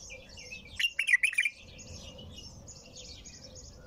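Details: Bulbul in continuous song: one bright, wavering phrase of rapid linked notes lasting under a second, then quieter high twittering and low background noise.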